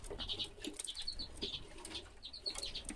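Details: Busy twittering of common redpolls from 2016: quick runs of clipped, slightly buzzy notes repeated several times a second, with wing flutters and low knocks underneath.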